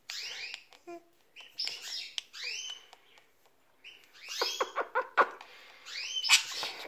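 Budgerigar chattering in rapid, scratchy chirps and squeaky whistles, clustered in busy bursts.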